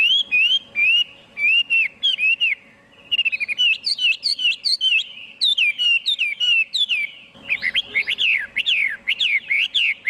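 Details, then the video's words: Chinese hwamei in a clean recording, singing rich, loud whistled phrases with quick repeated notes, brief pauses, and a stretch of rapid up-and-down trills near the end. "Tiếng chim hoạ mi hót"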